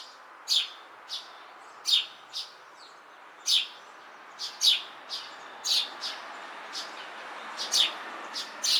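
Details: Eurasian tree sparrow on a house beam gives bright, sharp chirps, singly and in quick pairs, roughly one every half second to second, against a quiet hiss.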